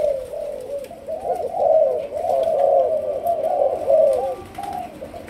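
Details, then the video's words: Spotted dove of the Malaysian type, a young decoy bird in training, delivers a continuous stream of low, mellow, wavering coos with little break between notes. "Cu Malaysia. Chim tơ nổi, tập lên mồi"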